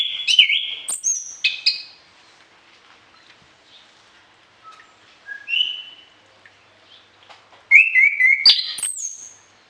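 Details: Orange-headed thrush song, varied and used for training other birds in morning and evening: short bursts of sharp whistles and rising notes with quieter gaps between, a loud rapid run of notes near the end.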